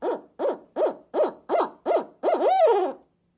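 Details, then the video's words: Barred owl, a rescued bird in care that was probably hit by a car, calling in the morning while its crate was cleaned, apparently scolding the carers: six quick, rising-and-falling hoots about every 0.4 seconds, then a longer note that slides downward. "Barred Owl"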